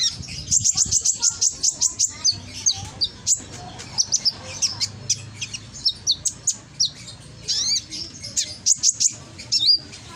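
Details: Konin lure recording from Gresik, East Java, loud song meant to prompt lazy konin to sing back; rapid high chirp series at the start, then spaced sharp notes and short trilled phrases with small pauses.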